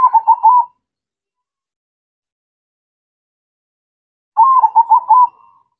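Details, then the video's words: Perkutut, the zebra dove, in full song: two trilled cooing phrases of quick stuttering pulses about four seconds apart, separated by silence. "Perkutut Mocca Gacor"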